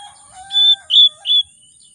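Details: Oriental magpie-robin in lure song for reluctant singers: three bright, loud whistled notes about 0.3 seconds apart, layered with softer, lower steady tones resembling a distant crow, over a faint high hiss.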